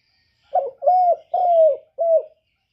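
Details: Lure song of a spotted dove in 'kuk 1' style: one four-note cooing phrase, a short burred opening note, two long sustained coos falling at the end, and a shorter closing coo.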